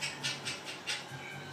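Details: One of two 8-year-old pet Senegal parrots laughs, giving a quick, breathy laugh of five or so hissy bursts about every fifth of a second, in a quiet room.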